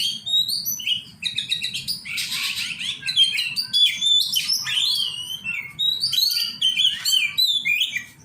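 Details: Oriental magpie-robin during song training, pouring out a continuous medley of chirps, whistles and rasping buzzy bursts, with a steady low background hum.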